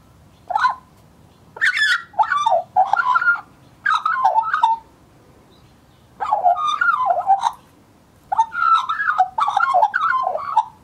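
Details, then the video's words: Juvenile Australian magpie, male, filmed in 2014, warbling at length: about seven separate bursts of jumbled, gurgling whistles with crackly upper tones, each lasting roughly a second, separated by quiet gaps. "the Australian Magpie Warbles His Heart out"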